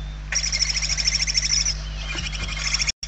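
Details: Hungry barn owl chicks in their nest interior in Spain, 28/11/2023, producing a continuous grating, rapidly pulsed hiss lasting over two seconds, with a steady low hum beneath.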